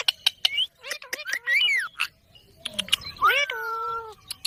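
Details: Green parrot mixing quick clicks with wavering, speech-like syllables and a drawn-out falling tonal note, in an uneven chatter.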